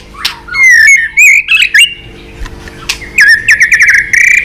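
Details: White-rumped shama singing a fighting song while flicking its tail to provoke a rival, clear whistled slurs and loud bursts separated by short pauses, ending in a fast rattling trill of ringing notes.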